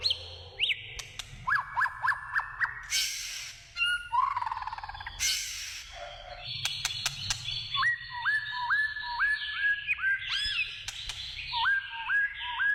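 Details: Wild white-rumped shama song of rich, varied whistles, including a series of upslurred notes repeated about every half second, mixed with harsh bursts and sharp clicks.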